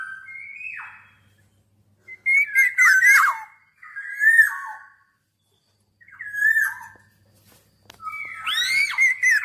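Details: Black-naped oriole whistling clear, liquid phrases that slide downward, broken by harsh, crackling squawks. Five short phrases separated by silences.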